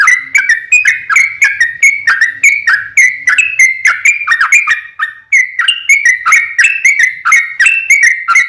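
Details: Sooty-headed bulbul song meant to provoke other birds into answering: continuous series of clear whistled notes with abrupt attacks, pitch shifting slightly between phrases, a brief dip midway.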